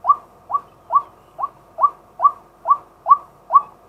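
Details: Male white-breasted waterhen calling during the day, recorded live with a set camera for luring: nine short, hoarse, arched notes near one kilohertz, evenly repeated about every half second, over a quiet background.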